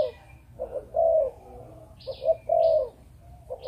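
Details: Breeding Malaysian spotted dove cooing in the 'chụp chụp ô' pattern: round, low, hooting notes in uneven groups, with short high chirps from another bird between them.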